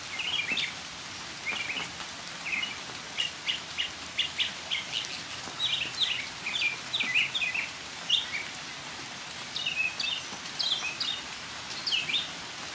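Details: Northern mockingbird singing in the rain, a long medley of brisk chattering bursts and sharp repeated notes, grouped in quick clusters with short gaps, fairly high pitched, with faint background hiss.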